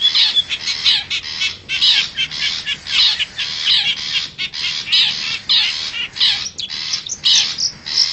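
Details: Long-tailed shrike, wild and from the forest, serving as a lure call for wild birds: a busy stream of rasping chatters and short squeaky notes, rapid and irregular.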